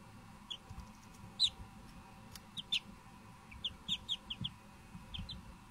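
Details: Young Silkie chickens giving thin, high peeps, single and in quick pairs, with a busier cluster of about six chirps in the second half over a faint steady hum.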